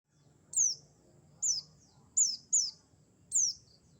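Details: Mountain white-eye, subspecies buxtoni, used as a lure call for trapping: five thin, high, downslurred whistled notes over four seconds, two close together, with a faint low hum beneath.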